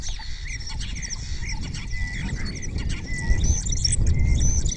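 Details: ['Spotless starling singing close up in Cabañeros National Park, answered by other starlings; repertoire includes imitations of orioles and kites. Thin high whistles and buzzy chatter run over a steady low rumble.']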